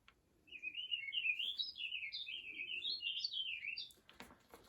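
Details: A Warbling Vireo sings one rambling, run-on warble of quick, slurred notes rising and falling for about three and a half seconds, ending before a few soft clicks.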